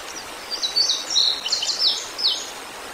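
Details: Near a river at Decorah, Iowa, on 3 August 2022, a fledged juvenile bald eagle about four months old calls as its sibling looks for it: shrill, chattering squeals that rise and fall in quick clusters over a hissing background.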